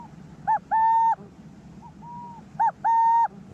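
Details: A resident male burrowing owl on a decommissioned military base in northeast Oregon gives a low, two-part territorial coo-cooo at a male intruder in his burrow: a short note then a longer held one, repeated about two seconds apart, with a fainter coo between, over soft rumble.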